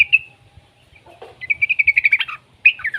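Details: Juvenile yellow-vented bulbul, used to encourage other bulbuls to sing: one clear whistled note, a pause, then a fast even trill of about ten bright notes ending in a falling slur and a short warbled phrase.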